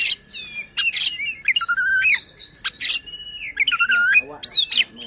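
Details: Oriental magpie-robin singing to agitate other magpie-robins into song: loud buzzy bursts alternate with clear, long whistles that bend up and down, separated by brief gaps.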